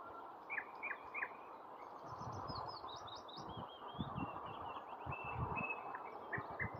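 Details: Singing nightingale opens with three repeated upslurred whistles, then a high thin twittering passage and a long drawn whistle, over continuous low rumbling noise.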